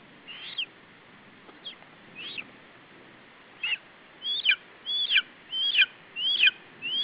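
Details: Lesser spotted eagle chick defending food against an adult at a nest in Estonia, 21 July 2012 around 17:12. A few soft notes give way to a loud, regular series of high, downward-swooping squeals, about one every 0.7 seconds.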